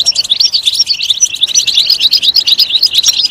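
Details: European goldfinch chirping loudly: quick, sparkling notes strung into a steady twitter, about two notes a second standing out above the rest.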